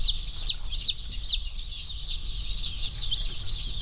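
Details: Slow growth rainbow broiler chicks, part of a batch of 1040 just arrived and running about pecking, give high falling peeps, a few clear ones in the first second and a half, then a softer chorus of many chicks with low rumble beneath.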